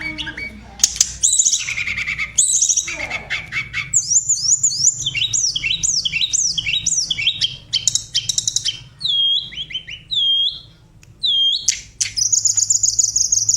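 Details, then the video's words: Tledekan 'vocal teacher' songbird delivers a long varied song: harsh opening notes, then many crisp repeated hooked whistles, each dropping then rising, in short bursts separated by brief pauses. "tledekan sang guru vokal"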